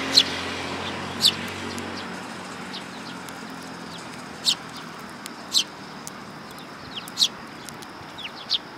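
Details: Sparrows coming to be fed at a Tenmangu shrine on 27 August 2022 give short, sharp, high chirps, single or in pairs, scattered about once a second over a steady background hiss.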